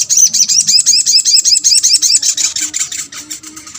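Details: Sogok ontong sunbird calling to draw a response from other birds; continuous rapid, high-pitched chattering notes repeated about three times a second, fading slightly toward the end.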